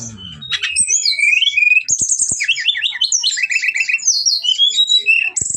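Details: Brown-chested jungle flycatcher lure song meant to make rival birds angry and fight: a fast, varied run of high whistled notes, rapid trilled chirps and sliding phrases, almost continuous.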